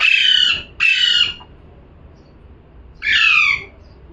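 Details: A parrot's calling: a quick pair of harsh screeches, then a pause and a third, slightly downslurred squawk.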